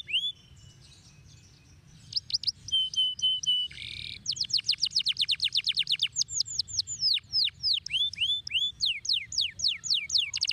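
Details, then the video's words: Canary song opening with soft notes and a short flat whistle, then a long run of loud, rhythmic downswept whistles repeated several times per second, continuing to the end. "أي كناري يجب أن يسمع صوت هذا الكناري"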